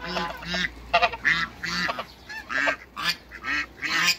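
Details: Hybrid Cayuga and Muscovy ducks kept in a backyard call as they meet: loud, rasping quacks repeated in an uneven rhythm, several birds overlapping, with a brief sharp squeak near the start.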